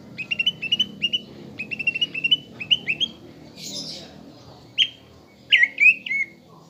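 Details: Greater green leafbird lure song for caged birds, meant to rouse a fighting temper: rapid runs of sharp chirped notes in quick groups, a harsh squawk, then several rising whistled notes over a low murmur.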